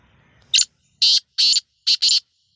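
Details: Black francolin, a kept beginner caller attempting its first call: one short rasping note, then two longer harsh buzzy notes and a closing quick double note, loud and grating over a quiet background.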